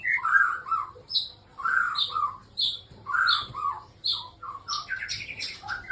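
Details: Morning song of a male white-rumped shama from a bird breeding farm. Rich, varied phrases of mellow whistles mix with high sharp notes in quick succession and end in a rapid, chattering flourish.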